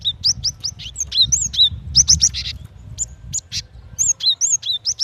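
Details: Female cinereous tit calling to the male: quick rising whistled notes, each sliding up then dropping, mixed with short buzzy bursts and sharp high ticks, with low rumbling background noise throughout.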